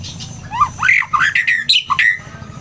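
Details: Agitated White-rumped shama singing a fast run of varied whistled notes, some rising and some slurred, with brief bright upper accents between phrases and a faint low hum behind.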